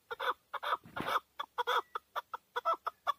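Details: Male hunting chukar partridge in Tajikistan, recorded 2020: loud, hoarse clucking chuck notes in quick uneven pairs and singles, with one longer rasping burst near the start.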